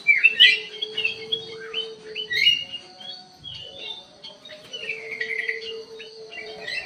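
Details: Black-crested bulbul in an aviary with scratchy, chattering song phrases, loudest at the start, then softer broken warbles with pauses, over a steady background hum.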